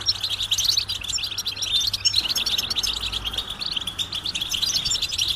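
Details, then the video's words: Flock of European goldfinches giving mating and readiness calls used to prompt males to sing; rapid, overlapping bright twitters and liquid chirps fill the whole stretch, over a steady low electrical hum. "بتبتة جماعية رهيبة لتحفيز الحسون على التغريد والهيجان"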